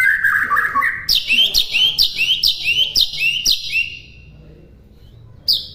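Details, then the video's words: White-rumped shama song for birds to copy: mellow whistles first, then a string of about seven high, upslurred whistles, each roughly half a second apart. A short pause follows, then one more high note. "MASTERAN MURAI BATU MUDAH DI TIRU"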